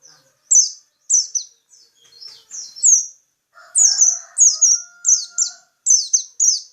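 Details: High, rapid downslurred chirps in paired and tripled phrases from a local peci bird, steady throughout, with a lower, rougher sound and a short held tone underneath partway through.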